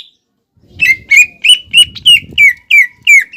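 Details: Lure song of a greater green leafbird for teaching another leafbird to sing: a steady string of eight or nine loud, downslurred whistled notes, about three a second, over a faint low rumble.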